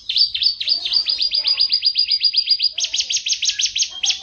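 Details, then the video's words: Contest-champion master canary, a caged pet, singing a rapid trill of repeated high downslurred notes, then switching to a second faster, brighter trilled phrase; steady and loud with no other sounds. "kicauan kenari master juara kontes"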